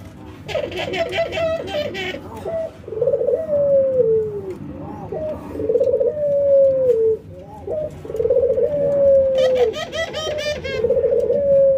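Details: Ringneck dove, a white albino bird set against a local bird during routine training, nodding and giving laughing coos: long, smooth, slightly falling coos repeated about every two and a half seconds, with short rough bursts between them, indoors.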